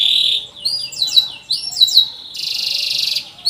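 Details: Energetic canary singing a long cuit-cuit song, used as a lure to get young canaries singing: a high buzzy tone, then a series of swooping whistled chirps, then a dense rapid trill.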